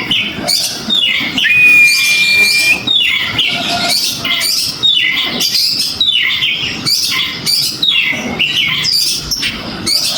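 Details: Oriental magpie-robin answering a prompting stimulus with vigorous song: a long clear whistled note early on, then rapid varied chirps, rasping bursts and high twitters packed closely together.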